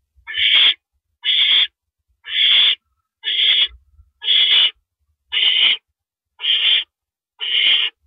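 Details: Owl, a male, at night on April 6, 2012 around 1:11 AM, delivering a rabbit to the nest; harsh raspy hissing screeches repeated about once a second, eight in a row.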